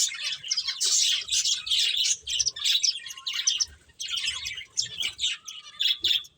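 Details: Playing finches chirp in rhythmic high bursts roughly once a second, with a quieter stretch near four seconds before the twittering picks up again.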